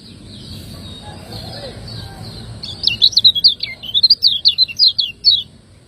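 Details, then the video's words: Lemon-bellied white-eye, known in Lombok as kecial kuning, singing its 'ciak ngejos' contest style as a tutor recording for cage birds: a quiet start, then a rapid three-second run of high, twittering chirps. "ciakngejos|Masteran burung kecial kuning"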